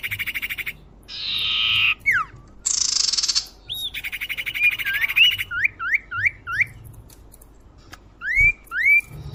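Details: Common iora lure recording meant to attract birds: buzzy rattling trills and a harsh rasp, then runs of four quick rising whistled notes, and later pairs of sharp upslurred whistles.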